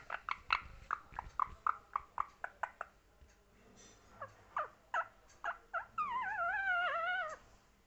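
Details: Parrot producing short repeated squawky syllables in a steady series, then a longer wavering, warbling drawn-out utterance near the end, indoors with low background hum.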